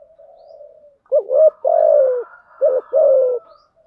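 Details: Female spotted dove lure call in thúc gù and gáy gọi style, played to attract wild doves: a faint low murmur first, then two rounded two-part coos, each a quick rising note followed by a drawn-out falling tone.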